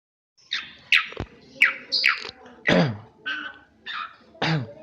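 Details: Asian pied starling said to imitate a person coughing, copying its owner's cough; a series of eight harsh, rasping, broadband bursts, roughly two every second, with uneven spacing and some rougher, lower notes.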